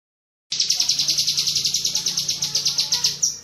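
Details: Cucak kinoi bulbul giving a rapid tembakan cerecetan chatter, used as master audio for training pet songbirds: a fast run of sharp, high notes repeated about three times a second, with a faint low hum beneath.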